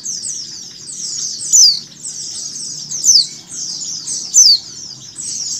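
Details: A female mountain white-eye calls amid recorded flock chatter meant to get birds to open their beaks. Three piercing, descending chips, evenly spaced, cut through a steady, thick layer of high, buzzy twitters.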